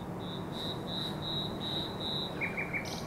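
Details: Common nightingale singing on May 16, 2023: a series of pure, high, sustained whistles repeated several times in a row, then quick lower notes falling away, over steady broad background rumble.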